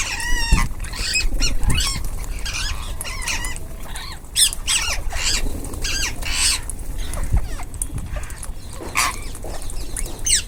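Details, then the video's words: A group of ringneck parrots eating, filling the air with loud, harsh, harmonic squawks and screeches from many birds, repeated irregularly and overlapping throughout, with occasional low thumps. "Ringneck parrots group //eating // natural sound"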